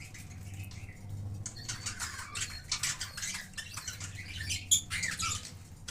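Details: A breeding colony of budgerigars chattering, with dense scratchy squawks and warbling chirps overlapping continuously.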